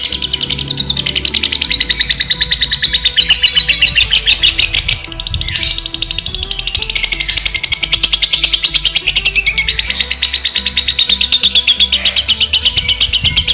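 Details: Lovebird, male or female, in a tune type said to become konslet long singing: unbroken stream of very rapid high chattering lasting over thirteen seconds, pausing briefly midway, mixed with loud background music.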